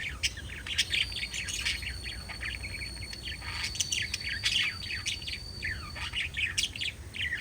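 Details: Dense, busy chirping from pet lovebirds: rapid bright tweets and scratchy chips tumble over each other almost without pause, with a faint steady tone and soft background hum.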